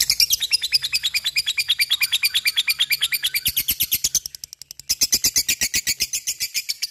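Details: A lovebird keeps up its ngekek chattering, a continuous burst of rapid, high, metallic pulses, fading briefly near four and a half seconds before resuming loud and fast.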